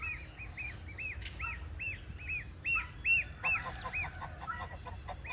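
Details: Baby goose repeats clear rising-and-falling peeps in a regular rhythm, some louder toward the middle. Other birds add high swooping chirps against a quiet background.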